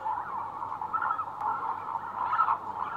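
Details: Lesser Flamingos, adult breeding males assembling for courtship dance, give a steady, dense murmur of overlapping nasal, mid-pitched calls without a break.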